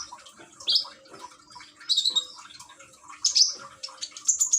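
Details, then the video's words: Caged common iora in Gresik, East Java, Indonesia, sung to with trickling water to encourage a quiet bird to sing; phone-recorded. Sharp high whistled phrases burst out roughly once a second over soft chatter and faint background tones. "Burung konin rajin bunyi dengan terapi gemercik air"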